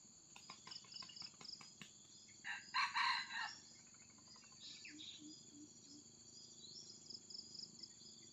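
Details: A red junglefowl, heard while luring wild junglefowl, gives one short, hoarse, clipped crow that is cut off abruptly. A steady high insect drone and pulsing cricket trills run underneath.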